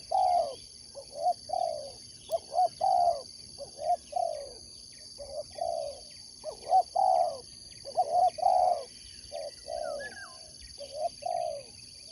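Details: Spotted dove raised for sport dove competition, cooing steadily for twelve seconds in repeated phrases of short hooked notes and longer falling coos; high chirps and a whistled note from other birds, plus constant electrical hum.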